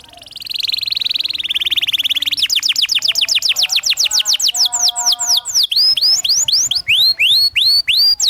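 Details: Canary song used as a master for teaching young canaries, delivered in the rolling ngerol style: a buzzy trill, then fast series of down-slurred whistles, low steady tones, and slower hooked high notes repeated about three times a second.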